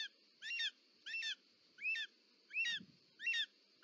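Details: Snake eagle nest in Parc Natural dels Ports, Catalonia, 18 July 2024, with the female bringing a snake. Five bright, slightly rising-then-falling call notes, spaced about 0.7 seconds apart, and a brief low knock.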